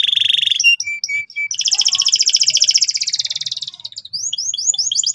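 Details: Gacor canary singing loud and insistently so young birds learn the ngeriwik sound. A quick high trill and short piping notes lead into a long rolling buzzy trill of about two seconds, then fast sharp chirps.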